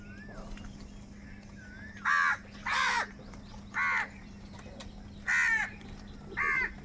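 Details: Angry crow calling loudly and continuously, with crows fighting for food: five harsh, hoarse caws spaced about a second apart, each short and grating, with faint thin bird whistles and a low steady hum behind.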